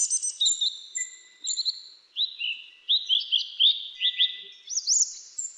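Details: Grey-chinned minivet in jungle: high, thin, sweet whistles and short slurred trills, repeated about every half second and overlapping as if from several birds. No other sounds.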